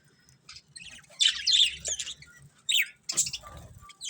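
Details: Budgerigars giving loud harsh squawky chirps in two bursts, scratchy and buzzy, with softer chatter and low knocking sounds in between.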